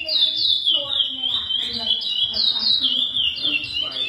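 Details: A captive-bred chestnut-bellied seed finch (curió) sings the classic "praia" song, a rich, continuous run of clear whistled phrases, sliding down and rising again at a quick, steady pace, with a faint voice in the background.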